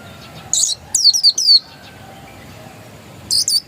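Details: Oriental white-eye, described as a pure original bird, giving short bursts of high, thin, rapidly descending twittering notes in two brief phrases separated by quiet pauses.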